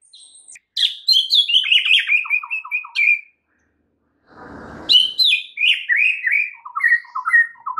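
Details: Full-fill song of a White-rumped shama, played to prompt a non-singing shama: rapid cascades of descending whistled notes and staccato chips in two long bursts, split by a brief rough noise.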